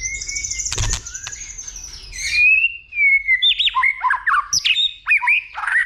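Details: White-rumped shama, worked up into fighting song, gives a high sustained whistle and a loud click, then a run of quick, varied, swooping whistled notes, clear against a quiet background.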